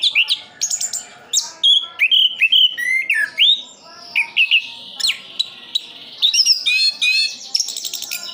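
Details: Continuous song of an Orange-headed thrush from Sidoarjo, East Java, Indonesia: a varied rush of crisp whistles, slurred upward and downward notes and fast twittering trills, barely pausing, ending in rapid high-pitched sequences.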